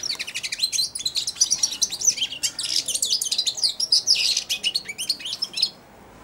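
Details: Subsong from a young European goldfinch, four months old, kept in a cage and perched at a hand that feeds it daily: a continuous rapid high twittering of tinkling, buzzy notes, then sudden quiet.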